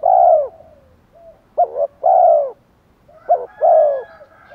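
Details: Thổ-style spotted dove call with fight-provoking phrasing to attract wild doves: a long descending coo, then two phrases of a short note leading into a hollow low coo.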